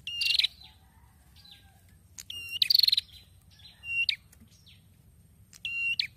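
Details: A red-headed prinia that has just started singing actively again after its moult gives loud, sharp, high chirping phrases in short bursts every second or two, with a faint low rumble beneath.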